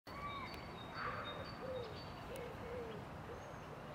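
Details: Feral domestic pigeon (Columba livia domestica) in Tivoli Park, Ljubljana, 5 April 2024: low, soft coos about every half second under steady city noise, with thin, high whistles from other small birds above.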